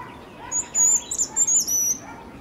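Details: Wild Jerdon's bush lark from Kerala delivering a continuous high-pitched whistled warble with quick rising and falling slurs, set against faint lower bird notes and a constant hiss of open countryside.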